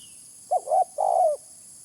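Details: Spotted dove coo used to lure birds: a single phrase of two quick soft hoots running into a drawn-out, gently descending coo, clear in quiet surroundings.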